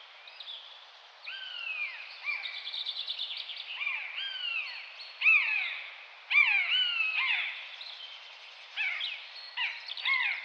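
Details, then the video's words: Common buzzard calling repeatedly. Several descending, plaintive mews, each under a second long, are spaced a few seconds apart and mixed with quicker, shorter down-slurred notes. "Canto da águia-de-asa-redonda/bútio-comum (Buteo buteo)"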